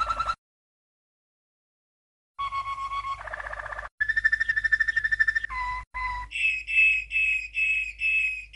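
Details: Belgian (Malinois/Waterslager) canary from a 1997 champion line gives a training song for young canaries: rolling, bubbling trills and deep water-like tours, ending in bright whistled notes repeated about twice a second.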